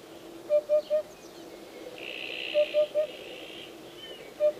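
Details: Hoopoe song, three quick triplets of mellow, low 'oop-oop-oop' hoots repeated roughly every two seconds, with a steady high-pitched buzzing in the background between phrases.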